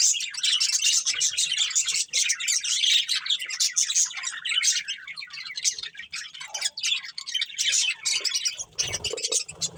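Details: Breeding pair of budgerigars chirping: a dense, continuous stream of scratchy, buzzy high chatter and warbling notes, overlapping and nearly unbroken throughout, with faint low thumps beneath.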